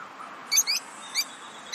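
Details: Lovebirds chirping, as they do when playing, eating or excited: a few short, high, sharp chirps in quick pairs, then a single chirp and a faint trailing one, over a quiet background.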